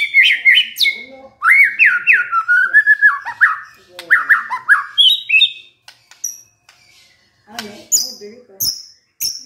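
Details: Agitated white-rumped shama singing in response to a lure recording, with varied whistled notes and quick rolling runs, a pause, then thin high-pitched whistles and short scratchy notes.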